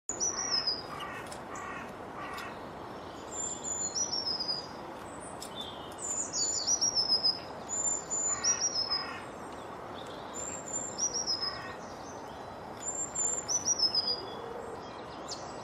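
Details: Sparrows feeding at a garden bird feeder chirp in short, bright, high notes, repeated quickly and overlapping over a steady background hiss.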